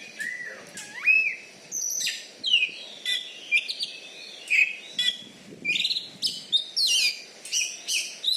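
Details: Champion caged Oriental magpie-robin from Bengkulu, Indonesia, kept for song contests and known for its loud volume. It delivers a long medley of looping whistles, buzzy bursts and rapid twittered notes, phrase after phrase.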